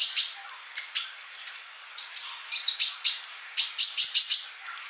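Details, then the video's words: High-pitched sunbird chatter: an opening whistled note, a short lull, then clustered bright chirps and thin trills repeated in quick succession. "MASTERAN UNTUK BURUNG COLIBRI GACOR"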